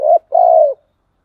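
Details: Spotted dove giving its thúc gù cooing call: a short low hollow coo, a brief pause, then a longer steady mellow coo that sinks slightly at the end, in a quiet setting.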